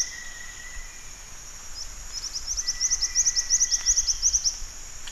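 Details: Black-winged flycatcher-shrike giving a quick series of sharp, high chipping notes, about six per second, that grow louder and then stop abruptly. A steady high-pitched insect whine runs throughout, with a faint lower tone.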